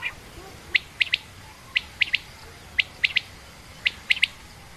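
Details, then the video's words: Female quail, common or rain quail, calling in sharp high clicks grouped in twos and threes, each group about a second apart, over a faint hissing background. "common quail/Rain quail sound)chinga batair ki Awaz)Звук самки перепела"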